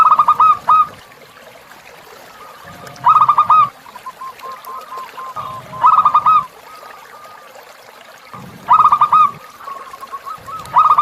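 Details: Zebra dove tutor song for captive birds amid river sounds: loud bursts of clustered coos recur roughly every three seconds, with faint notes and water noise in between.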